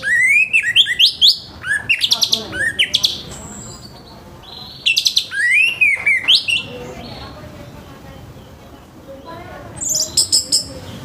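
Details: Orange-headed thrush in full morning song, a rough-voiced bird meant to get untrained thrushes singing quickly: bursts of rapid, harsh rising and falling notes in rattling runs, with pauses between phrases.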